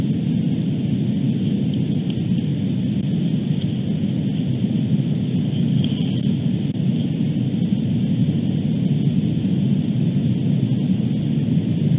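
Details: Only a steady low rumbling noise runs throughout, with no animal calls.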